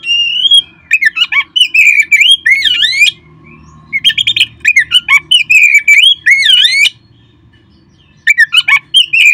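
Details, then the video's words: Oriental magpie-robin song used to spur caged birds into singing: rich, rapidly varied whistles, swooping slurred notes and scratchy chatters in dense bursts, with one long pause before a final short phrase. "perangsang terb4ik jadikan Kacer Anda nge-play gacor seketika."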